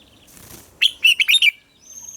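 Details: Red-whiskered bulbul singing in the morning, recorded to train captive birds: a single brisk phrase of five chirpy whistled notes, loud and clear, after a soft rustle.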